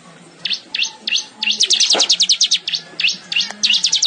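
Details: Weaver singing vigorously, a recording used as song tutoring for canaries: rapid series of sharp, high chirps in short bursts, speeding into a fast trilled run midway, over a steady low electrical hum.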